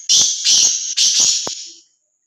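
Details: Free-roaming, fearless black francolin giving a loud, close call: three long harsh rasping notes in quick succession, each roughly half a second, then a sharp click as the phrase fades.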